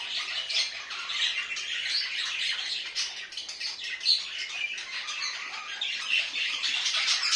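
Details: Budgies kept as house pets produce continuous rasping, twittering chatter with quick chirps and squeaks, steady in loudness throughout.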